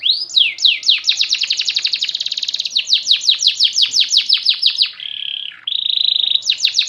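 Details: Canary song with fast trilled runs, then a series of descending sweeping whistles repeated several times a second, ending in a flat, buzzy sustained tone and renewed sweeps; background quiet.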